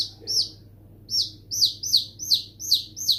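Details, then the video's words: Baby chicks: a single high chirp, a short pause, then a run of falling cheeps over a faint low hum. "Baby Chicks Sound"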